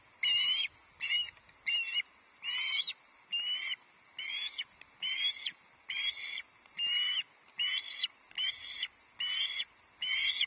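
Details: Ravenous young Osprey at Loch Arkaig, 31 July 2023, shrieking over its first fish of the day, a huge headless trout; about a dozen harsh, drawn-out screams, roughly one per second, in otherwise quiet surroundings.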